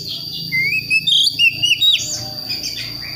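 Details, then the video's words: Juvenile Priangan magpie-robin from West Java practising its song: a long wavering whistle rising in steps, followed by a few louder bright notes and softer trailing chirps. "KACER PRIANGAN BAHAN BELAJAR NGEMPLONG"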